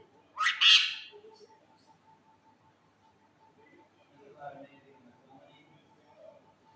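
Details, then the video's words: Parrot kept as a pet lets out one loud, harsh, raspy squawk near the start, followed by faint low chatter and quiet background sounds. "my new parrot voice"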